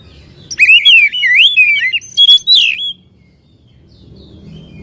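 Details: Oriental magpie-robin song used as a lure to make a bird quickly agitated and spread its tail; loud, rich whistled phrases of rising and falling slurred notes with sharp high chips, lasting about two and a half seconds, then quiet.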